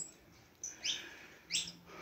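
Canary giving three quick, bright, high chirps over two seconds, the last two sweeping down sharply; otherwise a quiet room.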